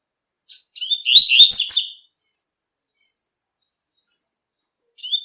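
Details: Wild double-collared seedeater, known locally as coleiro, singing the tui-tui song style in nature: a rapid burst of high, sweet twittering and slurred whistled notes lasting about a second, then silence before another phrase begins.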